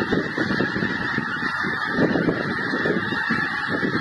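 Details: Honking from migrating geese, a busy overlapping chorus of short nasal calls with a low background rumble.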